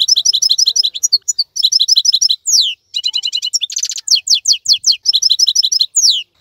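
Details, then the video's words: Singing European goldfinch, a wild-type bird still lively and glossy while others moult: fast series of bright repeated chirps, high slurred notes and a brief buzzy trill, delivered in near-continuous twittering phrases. "تغريد افضل من كل تغاريد طائر الحسون الخلوي"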